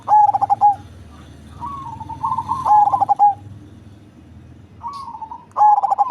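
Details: Big-bodied cemani zebra dove with a deep voice: loud phrases of fast stuttering coos closing on a sustained note, repeated about every three seconds, mixed with quieter purring trills of neighbouring doves.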